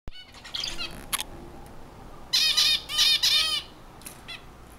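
Zebra finch song: a few soft opening notes, then a loud burst of nasal, buzzy, harmonic syllables repeated rapidly over about a second, with quiet background hiss.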